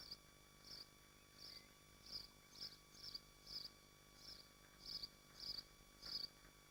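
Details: Common swifts at a nest in Machynlleth, in the Dyfi Biosphere, Wales, where they feed on insects. Short, high, buzzy screeching bursts repeat about every half to three-quarters of a second against a steady low hum.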